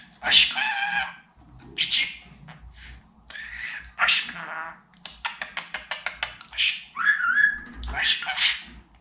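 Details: Pet budgerigar talking indoors: rapid chattering bursts of high, speech-like syllables with harmonic bands, a quick run of clicks near the middle, and a short whistled slur near the end.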